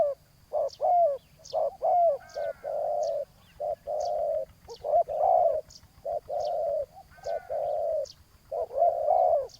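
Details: Spotted dove decoy duel on the ground with a loud rival. Irregular series of deep coos, some long and buzzing, others short, with occasional arched slurred notes. High, thin chirps sound in the background.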